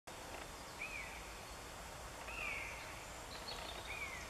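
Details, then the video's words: Three Common Buzzards flying and calling over a pine forest in Northern Germany on 10 April 2015; three drawn-out, downward-slurring mewing calls spaced about one and a half seconds apart, over steady background hiss. "Mäusebussarde - Common Buzzards with call"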